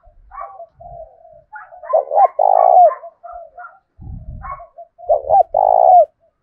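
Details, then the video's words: Decoy spotted dove in 'thổ đồng' voice goading another male into a fight: soft low coos build into two loud deep phrases, each a stuttered note and a long purring coo, with a dull knock between them. "Chim Cu Mồi, cu gay kich boi nhanh noi gù"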